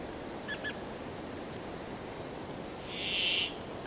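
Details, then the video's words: Brambling singing: two faint short ticks, then after a pause a single loud, rasping, drawn-out buzz of about half a second. "The sound of the Brambling"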